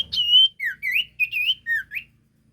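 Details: Whistled sirtu phrase used as a lure: a long sliding note followed by five quick swooping whistles that dip and then rise, delivered clearly and loudly with little background.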